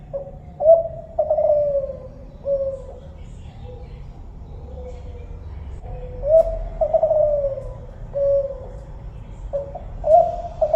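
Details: Spotted dove, known locally as tekukur kelantan, gives a run of low, mellow coos. Each phrase has a short note and then a longer, slurred note that falls slightly. The phrases repeat steadily over a low background rumble.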